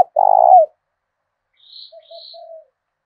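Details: Spotted dove of the southern Vietnamese thổ đồng voice, used to draw in wild doves: one loud, steady pulsing coo at the start, then quiet soft coos and two thin high chirps from another bird.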